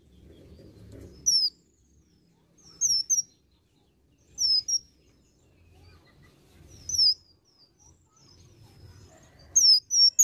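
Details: Olive-backed sunbird in energetic song laced with imitations: very high, sharp, quickly slurred notes in tight groups of two or three, repeated every second or two, with soft low background noise.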